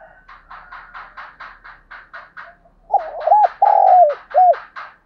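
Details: Decoy spotted dove, 'giọng thổ' voice. A steady series of rhythmic tapping or clicking pulses runs throughout. Over it comes one low cooing phrase: jerky opening notes, a long smooth coo, then a brief end note.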